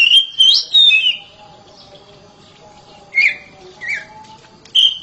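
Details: Oriental magpie-robin raised at home, singing loudly: a quick pair of bright whistled phrases, a long quiet gap, then isolated slurred whistles, the last one clear and high.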